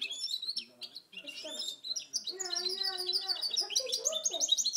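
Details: Goldfinch × canary hybrid from 2010 delivering rapid high twittering song with trills and sweeping notes. Lower drawn-out tonal sounds, possibly voices, run underneath.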